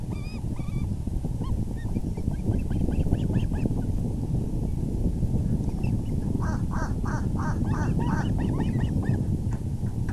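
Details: Osprey at its nest on the evening of April 6, 2020, 6:30 pm EDT, as the male brings in a big fish: bursts of sharp, harmonic chirps, then a steady run of repeated whistled cheeps, over a heavy low rumble of wind.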